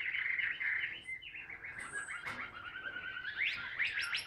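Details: A hand-held caged Chinese hwamei sings ngũ trường: level whistled notes at first, then a quick chattering warble, ending in sharp rising upslurred notes, with a brief high squeak and a click in between.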